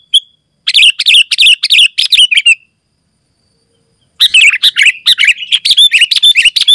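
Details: Sooty-headed bulbul singing loudly, used for calling other bulbuls and as a tutor: two dense bursts of rapid, bubbly warbled chirps separated by a gap of about one and a half seconds, quiet background.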